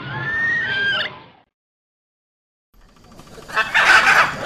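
A harsh, raspy macaw screech bursts out near the end after a silent pause, preceded by a brief spoken voice.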